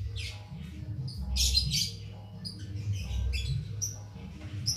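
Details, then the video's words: Cit keres bird singing at length with no stimulants, recorded as a master for training songbirds. Bright bursts of high twittering alternate with short thin whistles over a low steady hum. "Tanpa Doping Ngalas Tiada Henti/Cabe Cabean/Cit Keres Nembak Buat Masteran"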